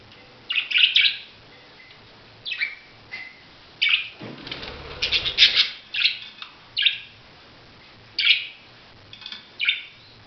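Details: Budgerigar giving short buzzy chirrups in bursts of one to three, irregularly spaced, with a brief rustling burst like wing flaps partway through.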